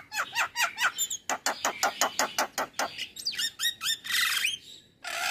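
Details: Male Javan myna singing in the morning, a full varied song: rapid series of harsh, buzzy chirps repeated about five per second, then a burst of hoarse rising notes and a brief grating squawk.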